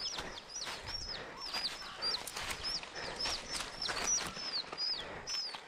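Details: Wild chicken chicks caught near a forest work site and caged at home. Continuous overlapping shrill peeps, each a quick falling slur, sound over steady rustling.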